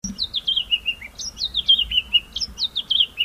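A White-browed scrub robin gives three descending runs of sharp, whistled notes, each stepping down from high to lower pitch, repeated about every second and a quarter.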